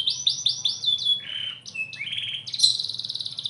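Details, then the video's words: Bottle-green canary singing: a fast series of descending slurred notes, then short level whistles and a buzzy rolling trill that jumps higher at the end; faint low hum underneath. "Kenari Ijo Botol materi edan"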